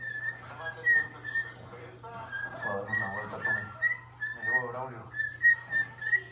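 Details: Pet white-faced cockatiel whistling to another cockatiel: a repeated, clear tune of short high notes, said to be the Kill Bill whistle, with voices and a low hum behind.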